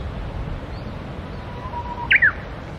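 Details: Wild Japanese bush warbler singing by the Tsurumi River: a faint, level low whistle, then a quick pair of sharp notes that swoop up and down, over steady low background rumble.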